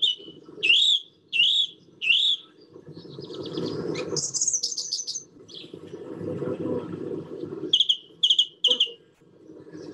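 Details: Song thrush in a garden giving a proclaiming song, especially at dawn and dusk: clear whistled phrases, each repeated two or three times, with high thin notes between, over a low rushing murmur.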